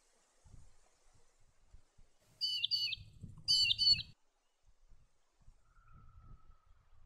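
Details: Collared sparrowhawk giving two short, rapid bursts of sharp, chattering high notes, with a low rumbling hum in the background.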